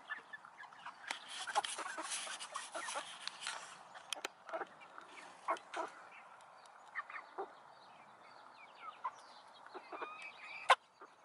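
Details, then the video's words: Chickens and roosters together in a coop: a busy mix of short clucks and nasal calls, with a burst of rustling noise early on and scattered sharp clicks. "Chickens and Rooster"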